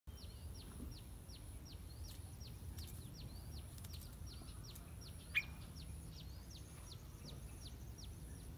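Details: Yellow-vented bulbul gives quick, high, downslurred chip notes about twice a second, played to lure wild bulbuls for catch and release, over a low rumble and a thin steady whine.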